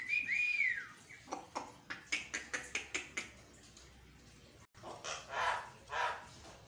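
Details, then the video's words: Morning Javan myna song meant to rouse caged mynas into replying fiercely; opens with a looping clear whistle, then a rapid series of about eight harsh clipped notes, followed by softer rasping phrases. "pancingan burung jalak kebo 100% nyaut"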